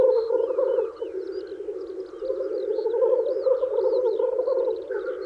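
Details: In spring, male Black grouse at a lek, displaying to woo females, bubble in a continuous low, dovelike rookooing chorus, with sharp hissing sneezes and a few high thin calls over the top.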